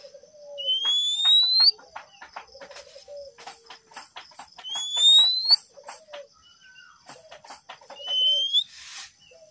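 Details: Male oriental magpie-robin sings three long rising whistles with soft low notes between them. Dense dry clicking or tapping runs through the recording, and there is a burst of rustling near the end.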